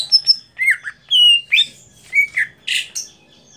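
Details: Greater green leafbird competition song: varied whistled slurs, sliding notes and short buzzy bursts in an irregular sequence.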